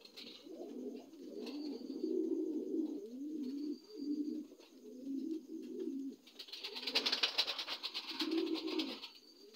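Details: Dun Lahore pigeons, new adults, coo in low, bubbling phrases separated by short gaps, then a loud rapid flutter that may be wing flaps breaks in before the cooing returns.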